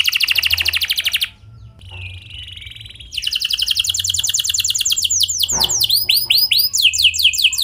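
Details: Vigorous canary with clear rolling song used to draw other canaries into singing; a fast high trill breaks into a softer held warble, then resumes as long rapid trills and swooping rising notes, faint low hum beneath.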